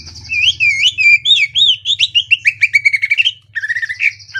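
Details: Greater green leafbird (cucak ijo), a lively singer with raised crest, in the ngentrok style with tight, rough bursts and varied phrases. Rapid run of slurred, looping whistles and quick chips, accelerating into clipped notes. A steady high shimmering tone and low hum sit underneath.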